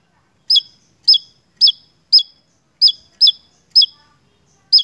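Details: Javan tesia singing actively in a lure recording for songbird keepers: sharp, high bright notes with a downward tail, repeated roughly twice a second with uneven gaps, over a quiet background.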